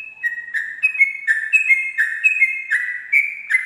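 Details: Sooty-headed bulbul in ropel style at dawn: two interleaved whistled tones, a high level note and a lower dropping one, alternating in a bouncy rhythm of roughly one and a half phrases per second.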